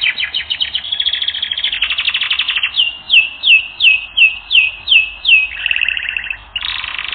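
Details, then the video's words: Canary singing for song training: quick chattering trill, then a string of clear swooping whistled notes repeated about twice a second, ending in a lower buzzy roll. "Canary Training Recording - 1 Hour"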